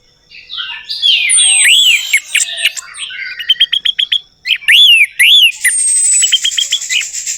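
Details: Lure recording of orange-headed thrush song meant to prompt a silent bird: rapid series of short repeated chips and loud arched whistled notes in quick bursts, ending in a fast trill with a high thin whistle.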